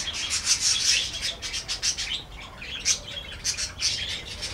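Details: Parakeets in a birdhouse: rapid, scratchy high chirps in quick overlapping bursts, several birds calling together, with a low background rumble.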